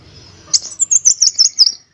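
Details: Van Hasselt's sunbird singing a master recording meant to teach other birds; after a soft hiss comes a bright high sweep, then a quick string of six sharp, thin, downward-flicking notes.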